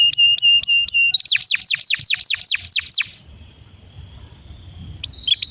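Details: Canary singing to stimulate other canaries: a few steady flat whistled notes, then a series of loud downward-sweeping notes, a quiet pause, and a new high phrase at the end.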